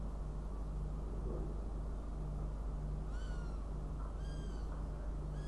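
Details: Two faint, falling, reedy calls from a northern goshawk in Riga on 29 June 2016 come in the second half, with a third starting at the end, masked by heavy low rumble.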